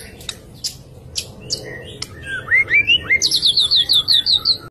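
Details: White-rumped shama song for prompting other shamas into song: scattered sharp ticks, a few rich rising whistles, then a high, even series of about ten repeated whistled notes.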